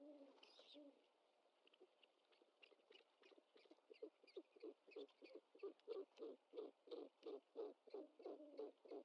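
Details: Great horned owlet at the nest on 25 March 2021, live nest camera, as its mother brings in a bird that it tries to swallow whole; soft low notes, then a run of short rhythmic chittering calls about three per second, growing louder.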